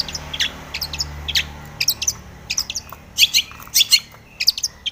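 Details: Aggressive long-tailed shrike song directed at a rival: a busy stream of short, sharp chirps and ticks, some clustered in quick runs, over a steady low background hum.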